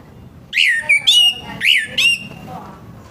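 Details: Orange-headed thrush in morning song, played to make other birds of its kind start singing: four loud whistled notes in two pairs, each sliding down and twisting, with quiet background noise between.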